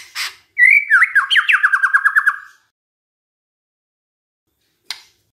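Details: A white-rumped shama sings as a lure for rival shamas: a sharp click, then rising whistles leading into a fast, evenly repeated series of falling whistled notes, followed by silence and a final click.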